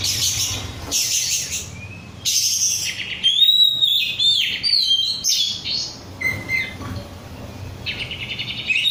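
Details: A vigorous oriental magpie-robin of the 'rudal Korea' type sings a varied run of high chirps, clear rising and falling whistles and buzzy trills, delivered in irregular bursts separated by brief gaps.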